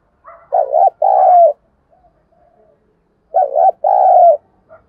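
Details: Spotted dove used as a decoy bird, cooing to stir up wild doves: two phrases about three seconds apart, each a short wavering coo followed by a longer, steadier coo that falls slightly at the end. Quiet background.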